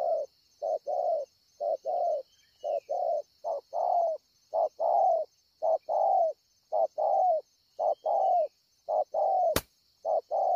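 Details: Spotted dove recorded at Ngọc Hồi on 25 March 2020, cooing strongly: steady series of low, mellow hooting notes, short and long coos alternating at a regular pace, with a faint steady high hiss and one sharp click.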